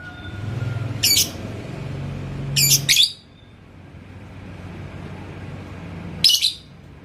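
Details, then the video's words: Yellow lovebird (labet koneng) in Indonesia, stirred by a rival bird: three sharp, shrill squeaky bursts, two close together and one after a long pause, over a low rumbling background. "MASTERAN si LABET KONENG Burung GACOR ke Pancing NGEKEK"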